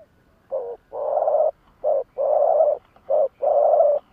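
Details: Decoy spotted dove calling in the 'lụp đờn cò' style to challenge wild rivals. Three low cooing phrases follow one another, each a short coo and then a long, sustained, even coo, with brief silences between.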